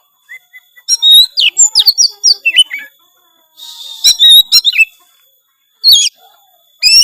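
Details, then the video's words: Oriental magpie-robin (kacer) in gacor song full of isian: a rapid tumble of whistled notes, chips and downslurs, a buzzy rattle, then more sharp upward-sweeping whistles after a pause. "suara kacer gacor full isian"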